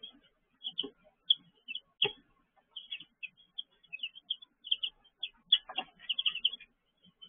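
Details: Baby chicks in a brooder, filmed at 6 pm on 19 June 2023: a busy chorus of short high peeps, many overlapping chirps at an uneven pace, with a few soft rustling knocks.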